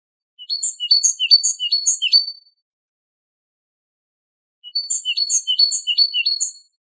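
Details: Great tit song from a high-quality tutoring recording used to teach captive great tits and goldfinches the Wedani song style: two bursts of four to five quick, high, repeated two-note phrases, separated by about two seconds of silence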